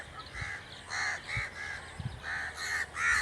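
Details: Harsh crow caws repeated steadily, six or so short rasping calls spaced about half a second apart over a quiet background with faint low knocks.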